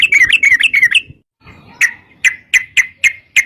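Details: Chatty sooty-headed bulbul song, meant to draw other bulbuls into answering: a fast warbled burst, a brief gap, then single sharp chirps spaced about every quarter second.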